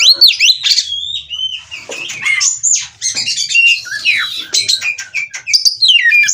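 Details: Oriental magpie-robin wanting to mate, breeding condition, ngobra behaviour, Cirebon, Indonesia; sweet slurred whistles rising and falling, mixed with harsh chatters and sharp squeaks in quick bursts, faint hum underneath.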